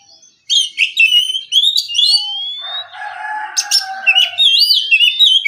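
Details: Oriental magpie-robin in relaxed morning ngeplong song, used to prompt rival birds to answer. After a near-silent start comes quick whistled chatter, then a long rising glide, a rougher passage, and looping high whistles.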